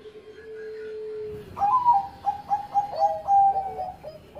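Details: Song of a Bangkok-line zebra dove, a former first-place contest champion: a steady low tone, then a quick series of short, bouncy cooing notes stepping in pitch, heard faintly indoors.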